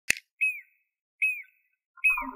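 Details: Pied or Jacobin cuckoo singing: a clear whistled note that rises then slurs downward, repeated three times roughly every 0.8 seconds, with a sharp click at the start and a soft lower chatter at the end.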